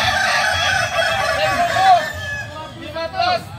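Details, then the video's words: Kukuak balenggek roosters at AMKO competition training: a loud chorus of crows ending in a drawn-out falling note, then quieter rippling crow syllables, with low hum and clucking beneath. "Ayam kukuak balenggek"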